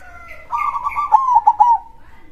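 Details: Local zebra dove singing in the loud-voiced krosing style: a low, full cooing phrase of stuttered notes that slide gently downward and end in a drawn-out coo.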